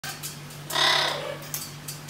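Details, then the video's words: Blue-eyed cockatoo giving one harsh, broadband screech lasting about half a second, with a steady low electrical hum and faint clicks behind it. "Blue eye cockatoo"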